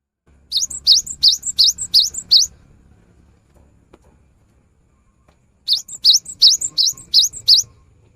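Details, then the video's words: Cinereous tit song: a run of six bright, rising whistled notes, roughly three seconds of near silence, then another matching series of six, each note quick and sharply upslurred. "Suara GELATIK BATU GACOR"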